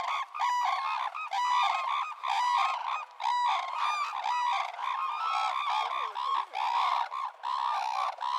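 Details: Red-crowned crane calling in repeated loud, brassy honks in bursts about once a second, several voices overlapping in a chorus with short pauses between phrases.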